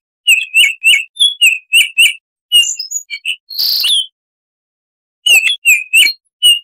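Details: Baltimore oriole giving wild-sounding 'tembakan' song: a run of loud, evenly spaced, downslurred whistles, a few softer varied notes and a hissing buzz, silence, then more whistles.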